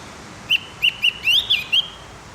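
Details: Javan grey-throated white-eye singing in the morning, a recording for teaching captive birds: six clear whistled notes in under two seconds, short flat ones then a rising slur and a falling twist, with faint hum behind.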